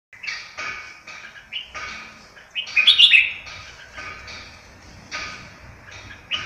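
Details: Pied captive red-whiskered bulbul, a competition bird about four years old with pinkish eyes and white feathers, in open tail keke style: short chirpy phrases repeated roughly every half second, with a louder, brighter warbled burst in the middle.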